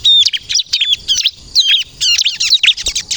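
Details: Bar-winged prinia, ciblek kristal, with a lively luring song: bright whistled notes and tight buzzy trill clusters in short bursts roughly every half second.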